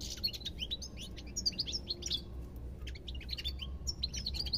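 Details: Lively twittering song of a European goldfinch: clusters of bright, quick chirps and liquid slurred notes, a short pause, then more jingling phrases, with low background hum.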